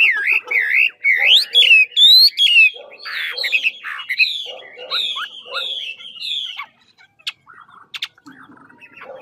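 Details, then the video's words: Chinese hwamei from Lạng Sơn, a big 'ngũ trường' singer practising its voice: fast rising whistled phrases and sharp repeated notes, then descending slurs that thin out into scattered clicks and quiet gaps near the end. "Mi ngũ trường to đẹp hót dẻo VIP Lạng sơn"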